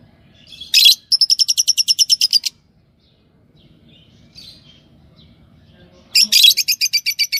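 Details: Fischer's lovebirds, a yellow pair, giving a harsh screech followed by a fast run of repeated high pulsed chirps, a pause, then another screech and rapid chirping run.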